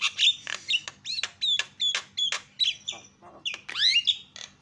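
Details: A Javan myna gives calls to stir other mynas into calling. Choppy series of short screechy notes, each with a whistled edge, ends in a rising, buzzy squeal.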